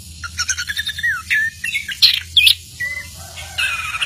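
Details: Orange-headed thrush said to sing anywhere, giving a lively mix of sliding whistles, chattering notes and sharp high squeaks in quick irregular succession, over a faint low background hum.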